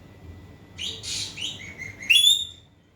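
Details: Singing Asian pied starling, meant to provoke a silent bird into answering: harsh raspy bursts and short buzzy slurred notes, ending in a bright, clear whistled note with stacked harmonics.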